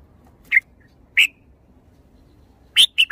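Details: Red-whiskered bulbul, a cage bird, giving a few brief, slightly harsh whistled notes: two spaced single notes, then a fast run of three at the end, with near silence between them.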